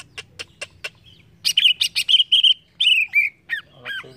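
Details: Four dry ticking notes lead into a tumbling green leafbird phrase of bright chattering whistles, finishing with several hooked, down-slurred notes.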